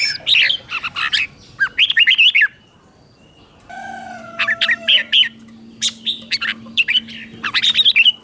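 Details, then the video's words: Red-whiskered bulbul teacher song, sung in the doubled 'เบิ้ล' pattern for birds to learn. Lively chirpy warbled phrases repeat in quick runs. A faint steady hum sits under the later phrases. "เสียงนกกรงหัวจุก | เสียงนกครู เบิ้ลหลัก1000000 เสียงชัดเจนสำนวนเพราะ ฝึกนกติดง่าย"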